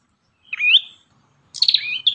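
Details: Two phrases from an actively singing Ashy tailorbird. A rising whistled slur comes first, and after a gap a fast stuttering trill follows that glides downward into a clear whistle.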